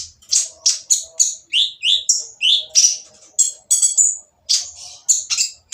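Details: Harsh-voiced olive-backed sunbird song, used to stir other sunbirds into singing: a lively, varied string of high scratchy notes and short falling whistles, about one every half second, with a dense buzzy flourish near the middle.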